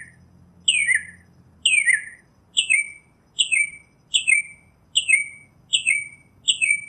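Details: Northern mockingbird (Mimus polyglottos) singing in nature, repeating a short downslurred, buzzy phrase about every 0.8 seconds for eight rounds, with a faint low hum at the start.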